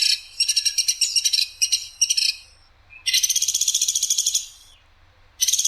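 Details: Woodpecker known locally as platuk sampit, recorded as a clear-voiced training recording with a coarse, sharp rapid-fire delivery: bursts of fast, harsh, high-pitched pulsed trills, then one longer rattling trill about 1.7 seconds long, with a new burst beginning at the end.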